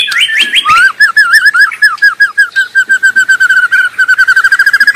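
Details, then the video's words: White-rumped shama in the wild, singing actively: a few quick high whistles, then a long, fast series of repeated wavering notes at an even pitch, becoming faster and more regular toward the end. "Sura merdu Burung murai batu sedang ngoceh gacor di alam liar"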